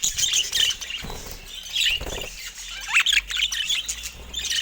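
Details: Budgerigars in a cage attack a camera, producing bursts of rapid, bubbly chirping and a few rising squeaks, with wing flutters and dull knocks between calls.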